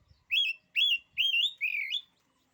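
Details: Oriental magpie-robin producing four rich whistled phrases, each rising then wavering, spaced about half a second apart, clear and loud.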